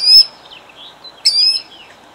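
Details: Killdeer defending her eggs in Jackson, New Jersey, 2008: two sharp, high piercing cries about a second apart, each with a bright rising-then-level tone, over faint background hiss.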